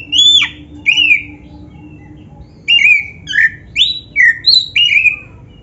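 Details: Energetic black-breasted oriental magpie-robin song used for training birds: a strong downslurred whistle, a pause, then a steady string of loud curling whistles repeated roughly every half second, each phrase slightly different.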